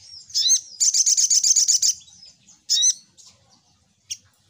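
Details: Lure call of a little spiderhunter (sogok ontong): a sharp high note, then a rapid even trill of about ten chirps, a pause, another sharp slurred chirp and a final brief squeak.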